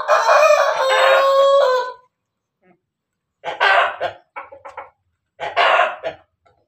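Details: Chicken crossed from Ayam Ketawa and Pelung, Banguntapan, Yogyakarta, about to lay eggs: a long two-second tonal crow sliding slightly downward, then quiet, then two groups of short choppy, laughing bursts.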